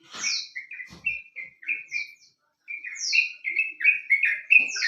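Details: Song of a sooty-headed bulbul, used to lure birds into song: chains of quick, bubbly whistled notes in two bursts around a short silence, with sharp high down-slurred notes opening each burst.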